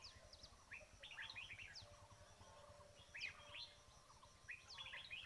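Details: Red-whiskered bulbul calling during bird trapping: short bright chirped notes in quick clusters, some sliding upward and downward, with pauses between bursts and steady low rumble beneath.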